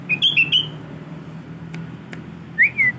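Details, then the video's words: Young tame male sooty-headed bulbul learning its song: a quick run of bright whistled notes, then a pause with faint clicks, then a final rising-and-falling whistle, over low background hum. "Burung Kutilang Jantan Jinak Ajar petetan"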